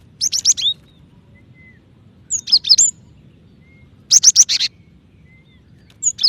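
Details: A female cinereous tit calls to the male in bursts of rapid, high, sharp chirps. The bursts come about every two seconds, with faint thin whistles between them.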